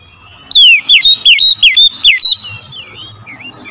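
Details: Oriental magpie-robin singing a morning lure: a tight string of about seven loud, ringing whistles, each sliding steeply downward, followed by faint softer warbles.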